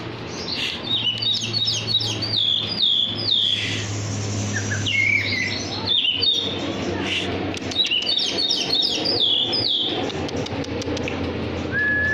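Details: Hand-tame Oriental magpie-robin, black-and-white poci variety, singing persistently. Repeated bursts of fast, high whistled warbling alternate with short pauses over a steady low hum. A lone level whistle ends the passage.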